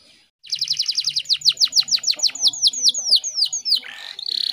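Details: Canary hen in heat, used as a lure to make birds sing. A run of rapid high chips slows into louder sweeping down-slurred whistles, ending with a short buzzy rattle.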